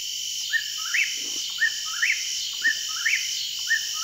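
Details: An Eastern whip-poor-will in September 2021 repeats its rhythmic three-part whistled "whip-poor-will" song about once a second, with a steady high insect drone behind it.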